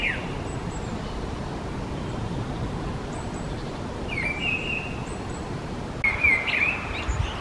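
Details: Mistle thrush (Turdus viscivorus) giving two brief fluted, wavering phrases in the second half after a quieter start. A steady low background hum persists, and faint thin calls from other birds sound high above.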